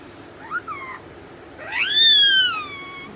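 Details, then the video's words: Four-month-old rose-ringed parakeet, said to be angry, giving a short rising note and then a loud, harsh, drawn-out screech. The screech climbs, then slowly falls, with dense overtones. "Angry Putu"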